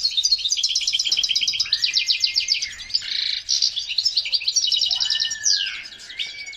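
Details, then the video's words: European goldfinch in excited breeding song: rapid twittering trills interrupted by a rasping buzz and a few lower sliding whistles, phrases tumbling quickly over six seconds. "هيجان حسون في قمة الجهوزية لتحفيز على تلقيح وتجهيز إنات الحسون لتزاوج"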